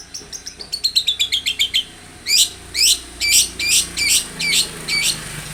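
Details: Long-tailed shrike song used as a lure to make other shrikes sing: a quick descending series of thin, high notes, then loud, sharp, rising whistled notes repeated about twice a second.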